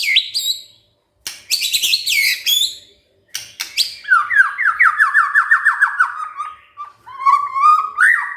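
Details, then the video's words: White-rumped shama singing back after being provoked: sharp bursts of harsh, noisy chatter, then a fast run of repeated rising whistled notes and closing lower warbles. "tidak nyampe 3 menit murai TERPANCING emosinya, nyaut GACOR✅ shama bird"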